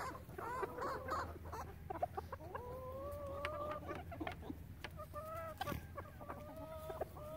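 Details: Relaxed chicken flock: scattered clucks, then a long level crooning note held for over a second, followed by more drawn-out calls and soft clucks against quiet background noise.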